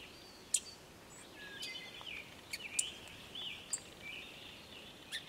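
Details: Song sparrow agitated and looking for a fledgling to feed: scattered bright, very short high chips, roughly six at uneven intervals, with a soft continuous wash of outdoor noise behind them.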